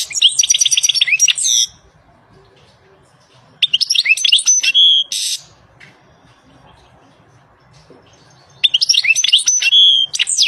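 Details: European goldfinch in the wild delivering three separate bursts of song, each a jumble of fast, high tinkling twitters, slurred notes and buzzy trills, with pauses of a few seconds between them.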